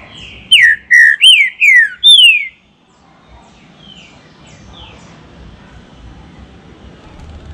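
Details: Loud whistled phrase of five quick downward-slurring notes from a captive green-winged saltator in a warm-up recording, then near silence with two faint distant whistles and low background noise.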